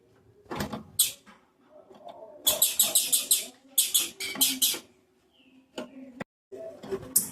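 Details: A female blue-black grassquit gives calls meant to excite males: quick bursts of thin, sharp ticking chips, four or five per burst, over a low background rumble and faint knocks.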